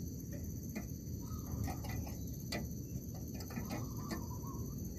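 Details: Zebra dove in an oil palm plantation, heard on a trapping trip, giving two soft rolling coo phrases, one early and one near the end, beneath clicking insects and a loud, steady low-pitched background hum.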